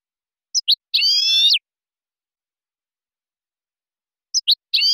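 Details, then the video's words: European goldfinch from a silvestrismo recording: two quick high chips followed by a harsh, nasal buzzy note about half a second long, the same phrase starting again after a pause of several seconds. "SILVESTRISMO. CD DE JILGUERO Nº 1"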